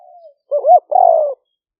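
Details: Wild spotted dove from Roi Et rice country, Thailand, recorded in the 2021 rainy season as a trapping lure, liu fueang style; a faint trailing note, then a warbling up-down coo and a loud burry falling croo.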